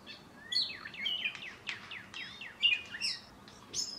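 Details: An Indigo Bunting, a male not yet finished molting into full plumage, sings a quick run of high, sharp, slurred notes, many in pairs, dropping and rising over a soft background hiss.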